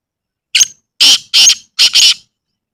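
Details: Black francolin recorded in a natural village setting: a sharp lead note followed by four loud, scratchy, grating notes in two quick pairs, clean background.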